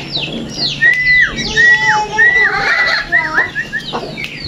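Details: Tame sooty-headed bulbul, kept and cared for so that it sings a lot, giving clear whistled notes that slur downward, repeated in quick succession. High chirps and voices sound in the background.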